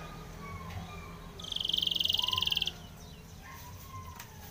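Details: Spanish Timbrado canary song used for training: one fast, even trill of rapid pulses held at one high pitch for just over a second, after faint background noise.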